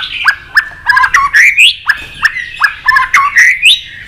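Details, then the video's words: White-rumped shama giving competition fighting song: regular sharp downward notes about every third of a second mixed with rising whistled slurs over a faint background hiss. "kích lửa 3 mùa yếu lửa hót đấu lên lửa.chòe lửa nết đập xoay chớm lửa hót đấu"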